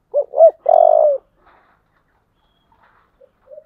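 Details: Fighting-call of a spotted dove with the 'giọng thổ' voice: a single loud phrase of two brief hooked coos and a sustained, vibrating low note, followed by near silence and a faint distant coo.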